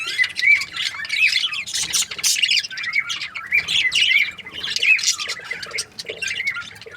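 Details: Chirping budgerigar breeding pairs, a constant scratchy warbling murmur punctuated by brighter upslurred whistles, swelling and easing in waves.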